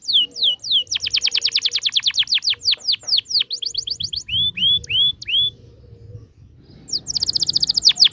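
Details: Gacor canary in ngerol rolling song, a lure for young canaries learning to sing: fast trains of high falling notes, then three slower rising-falling whistles, a brief lull, and a final rapid trill.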